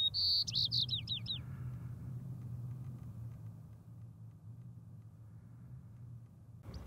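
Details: White-crowned sparrow on the mountaintop tundra of Rocky Mountain National Park, 6-10-2022, ends a song with a high whistle and fast falling slurred notes lasting about a second. A steady low rumble like wind continues afterward.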